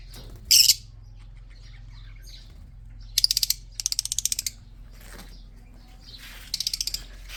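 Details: Breeding red-eyed budgerigars: a loud harsh squawk opens, followed by three separate bursts of fast rattling clicks, each run of eight to ten pulses, with quiet gaps and a faint low hum.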